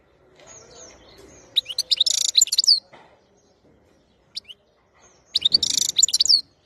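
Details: European goldfinch in Algeria singing in two bursts of rapid, high, tinkling twitters and buzzy notes, with a short pause between them and a soft single note in the gap.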